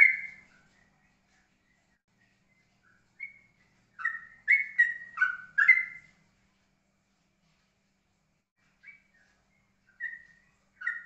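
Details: Yellow-vented bulbul singing in the steady, calm ropelan style: bursts of short, whistled, bubbling notes alternating up and down, a rapid run of five notes, then sparse single phrases after pauses.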